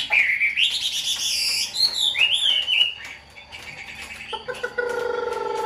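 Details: Tame caged Chinese hwamei singing a fluid whistled phrase that climbs and slides down over three seconds, followed by quieter murmuring and a steady buzzy tone.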